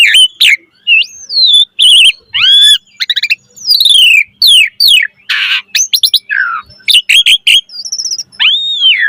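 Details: Asian pied starling singing a full variety of chatter: swooping whistles, rapid stuttered harmonic notes, descending slurs, a harsh raspy burst, and high steady whistles in a long, varied phrase.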